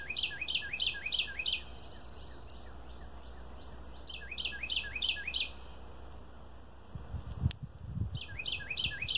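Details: Red-winged Blackbird song: quick, bright descending notes in runs of four or five, about three a second, over steady low rumble, with a thump near the end.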